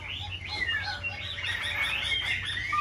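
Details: Black-throated laughingthrush fanning wings and tail as it sings, pouring out dense overlapping whistles, bright warbled notes and downward-slurred phrases in a continuous stream over a faint low hum.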